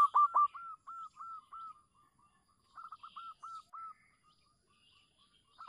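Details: Zebra dove (local perkutut), call used to lure silent doves, giving quick runs of short, soft, mid-pitched cooing notes, about six to eight per burst, with brief pauses between bursts.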